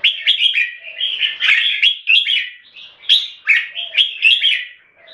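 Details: Red-whiskered bulbul in Singapore-style competition singing, two caged birds matched against each other. Rich, rapid whistled and chirping phrases rise and fall in quick bursts, repeating every second or so, with brief gaps between them.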